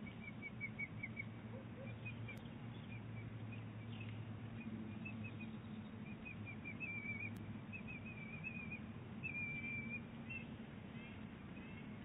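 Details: Exchange between a bald eagle eaglet and its mother, Big Bear Lake, 23 April 2018: repeated high piping notes in rapid strings, some run together into trills, continuing through twelve seconds above low background noise.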